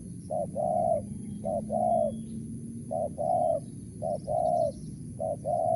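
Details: Mersik, Tukang Keliling style calling by a spotted dove: repeated paired coos, a clipped note leading into a longer warm one, five pairs evenly spaced, a faint steady tone underneath.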